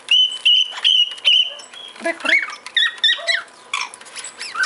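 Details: Male cockatiel gives several level, clear whistled notes in a row, then rougher chirps and scratchy calls follow.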